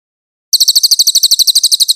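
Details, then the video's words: Velvet-fronted nuthatch master recording for training songbirds: silence, then a rapid burst of piercing, high chips at roughly eight per second, clear with no other sounds. "MASTERAN BURUNG CILILIN JERNIH"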